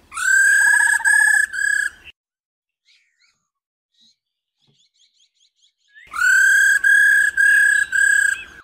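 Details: A female laughingthrush's 'ro ro' call, meant to spur males into full song: loud, harmonic, pulsing drawn-out notes in two bursts with a long quiet gap between them and faint soft notes in the pause.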